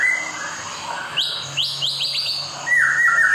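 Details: Caged-bird stimulation song of the white-rumped shama: a soft low whistle, then a quick run of sharp rising high notes, ending in loud warbled middle-pitched phrases.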